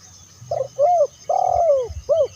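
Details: Spotted dove calling to lure other doves, giving a soft opening note, a curved coo, a long drawn coo falling at the end, then a final short arched coo; low rhythmic thumping underneath.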